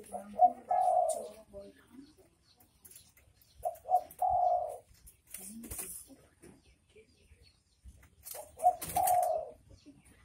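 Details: Derkuku, the spotted dove, in its 'bekur bekur' call: three phrases of soft low coos spaced a few seconds apart, each a quick double note followed by a longer drawn note, with faint clicks between.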